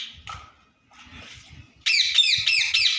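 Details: Pet talking ring-necked parrot giving its natural voice: faint, soft sounds at first, then a loud run of five harsh, rasping squawks in quick succession.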